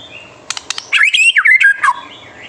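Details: White-rumped shama in full, frequent song, used as a master recording to provoke young or fledgling shamas into singing. Four sharp clicks open the phrase, followed by a quick run of slurred, rising and falling whistled notes.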